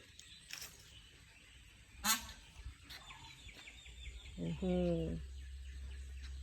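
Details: A male Indian peafowl fanning his tail, just released from a cage, gives one loud, nasal, honking call under a second long, with high chattering birds and people talking in the background.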